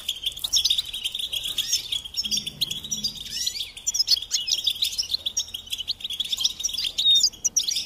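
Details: Goldfinch song from a training recording: a continuous, bubbling twitter of fast chirps and trills, with a short buzzy downslur and a clear whistled note near the end.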